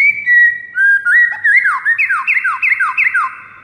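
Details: White-rumped shama singing in the morning as a training model: long steady whistles open the phrase, then a fast series of downward-sweeping whistled notes repeated about four times.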